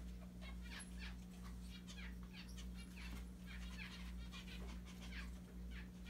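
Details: Pet mandarin zebra finches playing with a Santa Claus hat chatter in short nasal, toy-horn-like beeps over a steady low hum.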